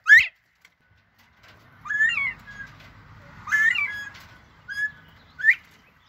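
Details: Northern bobwhite calling back and forth: short rising whistled notes and slurred chirps spread across the clip, one sharp upward note at the start, over a low rumble.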